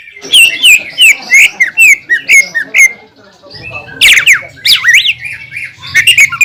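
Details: Greater green leafbird singing loudly to provoke rival leafbirds: a fast run of whistled, looping notes, a brief quieter pause with low hum, then harsh sweeping whistles and rapid chatter.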